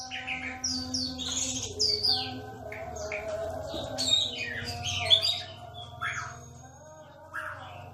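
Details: Melodious song of an Aceh white-rumped shama, said to be rare now: loud, varied whistled phrases with sharp rising and falling sweeps, set against persistent low droning tones.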